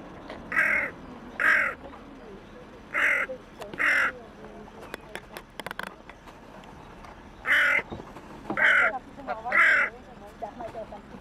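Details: Lone hooded crow among waterbirds on the Elbe at Pirna, possibly calling to others of its kind, gives seven rasping caws in irregular bursts, pairs and a trio, with clicks and faint voices between.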